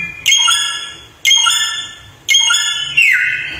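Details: Samyong bird singing three loud clear whistled notes about a second apart, each starting sharply and fading, the last sliding downward.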